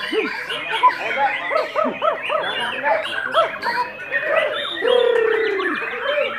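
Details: White-rumped shama (Copsychus malabaricus) at a songbird contest, where it won first place, pours out rapid, arched whistled notes and a long sweeping phrase, among other birds, voices and clapping.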